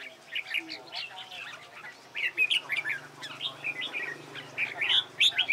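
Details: Red-whiskered bulbul trained for hót đấu competition singing: quick sequences of sharp chirps and short whistles, over a low, steady mechanical hum.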